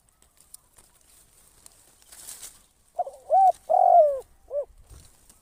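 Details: Spotted dove kept as a trapping decoy, giving its 'kharom' style call. After faint rustling comes one mellow phrase: a short hoot, a longer wavering coo and a brief rounded final note.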